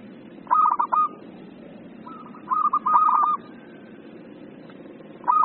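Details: Excited 'emosi' zebra dove song for tutoring and luring birds: two long rolling, trilled coo phrases, then a pause and the start of another, with a steady low hum behind.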